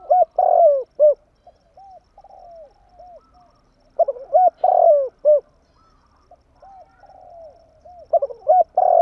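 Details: Tame spotted dove used as a decoy to lure wild birds, cooing in loud hooked notes that rise and fall, grouped in bursts about four seconds apart, with softer echoing coos between bursts.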